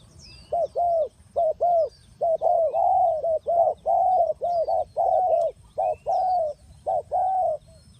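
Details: Lure spotted dove for trapping delivering a long, steady run of low, rounded coos, single and doubled notes pouring out almost without break, while thin high twitters of other birds sound faintly behind.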